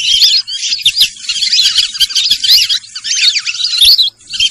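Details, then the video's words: Sarail bird producing scratchy, high chirps and slurred whistles in irregular clusters, including one longer downward note before a brief silence near the end. "সরাইল পাখির ডাক।Sorail pakhir dak"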